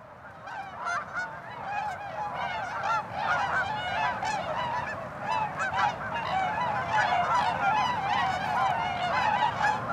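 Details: A large flock of tundra swans calls in a dense overlapping chorus of mellow, high-pitched hooting and yelping notes with no pause, with geese and ducks present, on 16 March 2013 in Mississauga, Ontario, Canada.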